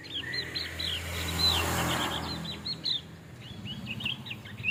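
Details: Javan grey-throated white-eye, a male, delivering a quick run of bright, slurred chirping notes in rapid succession, paused briefly and then resumed, with steady low background rumble.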